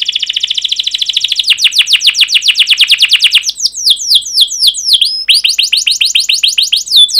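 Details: Canary singing a long rolling 'cuit cuit' song to stimulate other canaries: a fast even rattle-trill gives way to sharp descending chirps, several hooked notes and quick repeated slurs.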